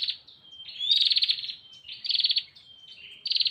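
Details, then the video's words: Female Bar-winged prinia calling the male, uttering three rasping, rapidly stuttered bursts separated by faint descending whistles, around one burst per second. "Suara burung prenjak betina memanggil jantan"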